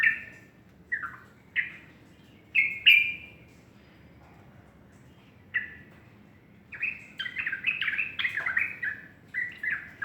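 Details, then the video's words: Sooty-headed bulbul singing in the morning: short bubbly whistled phrases in bursts, a pause of about two seconds, then a livelier run of rising and falling notes near the end. "burung trucuk berkicau pagi"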